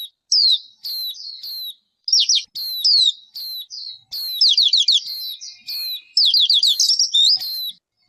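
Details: A songbird gives clear, high chirps and short whistles. Two fast trills of descending notes follow. The background is quiet, with no other noise.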